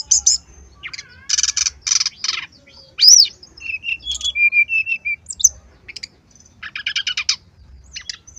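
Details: Varied brown-chested jungle flycatcher song used for tutoring: dense buzzy rattles, an arched high whistle, steady falling whistled notes, and a final rattling trill.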